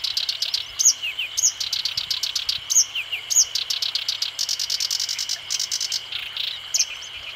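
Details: Black-browed reed warbler song: a hurried, jumbled mix of high clicking and buzzy notes with sharp rising whistles at intervals, and a fast ticking stretch in the middle. A steady high insect-like drone runs underneath throughout.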